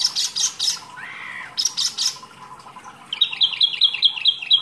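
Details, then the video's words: Kept wambi, a small songbird recorded as masteran training song: harsh, buzzy squawking bursts, then a steady series of high chirped notes repeated about two and a half times a second. "wambi mini gacor materi mewah"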